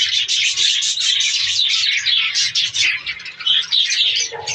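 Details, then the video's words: Budgerigar breeding colony in captivity: a continuous, busy chorus of shrill warbling and chirping from many birds, steady and unbroken, with a brief lower squawk near the end. "australian parrots budgies ke birds colony"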